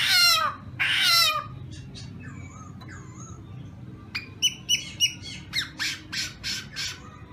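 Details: Black-throated laughingthrush giving two harsh buzzy bursts, followed by a series of short, fainter whistled and chirping notes over a quiet background hum.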